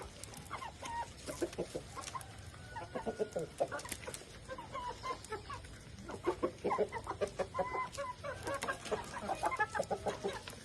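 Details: Bangkok chickens, a classic-type fighting breed, give short repeated clucks and chattering calls in loose bursts over a steady background hiss; no full crow is clear.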